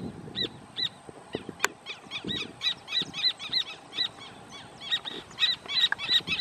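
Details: In the private protected natural area Amarras del Gualeguaychú, a pair of Rufous Horneros marking territory, perhaps near a next nest, call in a loud, ringing duet of sharp notes about three a second over low rumbling.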